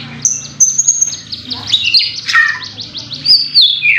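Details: Song of a white-rumped shama, used to stir another bird into singing: high thin whistles, quick rattling note series, and sharp downward-sweeping phrases.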